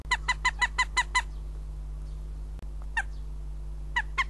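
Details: Northern goshawk at the nest in Riga, Latvia, on 14 April 2017, giving a fast, even series of seven loud nasal kek notes. After a pause come a single note and two more, all over constant low electrical hum.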